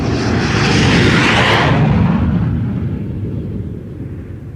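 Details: A loud aircraft roar, broad and rushing, fades steadily over a few seconds; no animal voices can be picked out.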